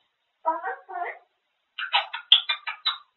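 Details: Grey parrot, kept indoors, chattering nonstop about food; two low, throaty word-like bursts are followed after a pause by a fast run of sharper, higher syllables in a quiet room.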